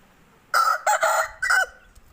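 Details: Aseel rooster with a short, raspy crow in four choppy bursts spanning about one second, the final burst falling away at the end, with faint low rumbling afterwards.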